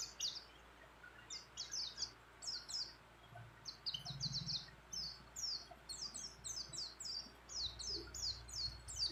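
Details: Mountain white-eye female calling a male while in breeding condition: quiet, rhythmic clusters of high, quick down-slurred chirps, two or three at a time, repeated steadily over low background noise.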